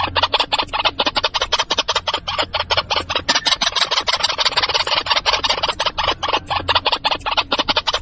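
White-breasted waterhen giving harsh, croaking notes in a fast, unbroken run, roughly seven or eight per second, with a faint low hum underneath.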